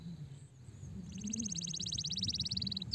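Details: Stressed canary: after a second of quiet hiss, a rapid, even, high buzzy trill of about thirty notes that dips slightly in pitch and lasts nearly two seconds, over low background rumble.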